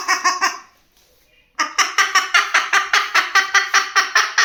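A white cockatoo mimics a chicken: three harsh clucks, a short pause, then a quick run of about a dozen raspy cackling notes, roughly five per second.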